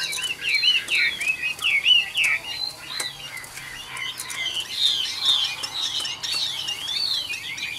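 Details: Chinese hwamei, caged and wild-caught when old, noted for a good voice, pours out fast looping whistles and warbled phrases in bursts, loud and varied, with short pauses between runs.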